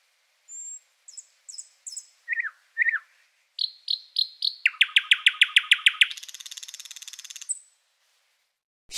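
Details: A thrush nightingale sings a single strophe of eight different elements: a high whistle, paired chirps, downslurred notes, a fast run of loud clicks, then the species' characteristic fast, dry rattle. Such strophes repeat with variations every few to a dozen seconds.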